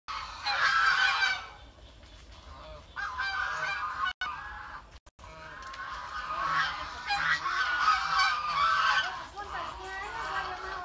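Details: Geese honking loudly and continuously in a noisy chorus of nasal calls, several birds overlapping, with short breaks and a brief dropout near four and five seconds.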